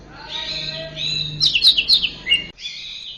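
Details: Orange-headed thrush singing for a cage-bird training recording: varied high whistled phrases, then a cluster of sharp rising and falling notes and a final bright whistle, over a low steady hum.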